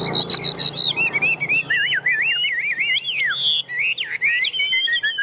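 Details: Large, tame Chinese hwamei known for competition singing delivers a rich run of zigzagging whistled phrases, rapid and varied, with sharp rising and falling notes across five seconds.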